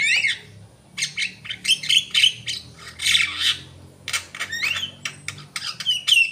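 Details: Javan myna in vigorous gacor song: a scratchy jumble of hoarse squawks, clicks and rasping bursts, broken by brief gaps, with a few thin upslurred whistles near the end over a low background hum.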